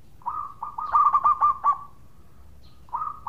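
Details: Zebra dove of local stock singing eagerly to coax other doves into song: a lone soft coo, then a rapid burst of about six throbbing notes, silence, and another even coo at the close.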